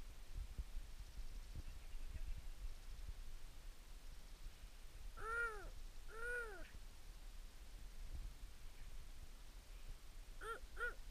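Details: At Machhermo, a Himalayan snowcock utters two drawn-out arched notes about a second apart, then, after a long pause, two short clipped notes in quick succession, against a steady low rumble.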